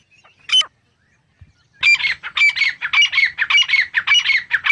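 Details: Grey francolin, called dakni teetar, starting with a single sharp squawk. After a pause it breaks into a steady rapid series of harsh, ringing, grating calls, roughly two per second.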